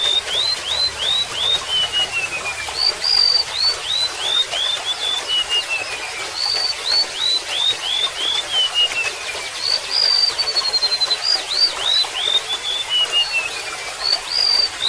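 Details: Golden-bellied gerygone song with trickling water: repeated phrases of rapid upslurred whistles, a drawn-out high note and slowly falling whistled sequences, the pattern returning several times in a continuous, sweet, high-pitched stream.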